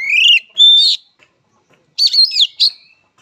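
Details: Oriental magpie-robin (kacer) fighting song: a rising whistle followed by a clear steady note, then after a one-second gap a cluster of buzzy, warbled notes ending in a short sharp call.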